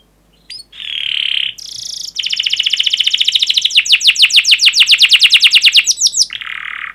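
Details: Canary with a long 'ngerol' roll, used as a lure to get canaries singing: a short whistle, a buzzy note, then a long accelerating trill of sharp chirps, ending on a lower buzzy tone.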